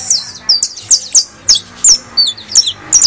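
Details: Criollo saffron finch in song, used to stimulate other birds to sing: steady, sharp, very high chirps with downward slides, some paired, repeated about three times per second over low background hum.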